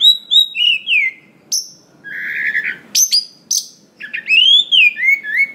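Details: White-rumped shama song, a lure to prompt other shamas to sing, full of varied phrases: clear whistled notes sliding downward, sharp high upward slurs and a short burbling stretch, delivered in bursts with brief pauses between them.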